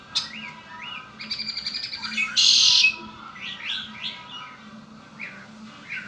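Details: Captive red-winged blackbird sings one song: a stuttered run of short rapid notes, then a loud harsh buzzy trill lasting about half a second. Upslurred chirps from other birds sound before and after.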